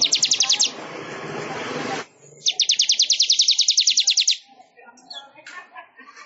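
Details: Manyar weaver song for training other songbirds: a quick high trill, a rough noisy stretch, then a long series of rapid, regular chirps at about three per second, ending in scattered faint notes.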